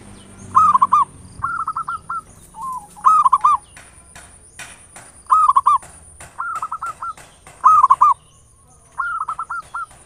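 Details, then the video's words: Local zebra dove giving a lure song in ngayer nulop style to provoke singing: alternating bubbling coo phrases and drawn-out rolling trills, about six phrases in ten seconds, with faint clicks and a thin high whine. "Perkutut lokal PANCINGAN SUARA NGAYER NULOP ampuh merangsang cepat EMOSI BUNYI GACOR"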